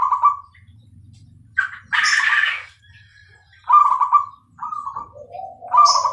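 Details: Zebra dove of the Bangkok perkutut type singing: short rolling coos and a low falling phrase, interrupted by a loud harsh noise burst near two seconds.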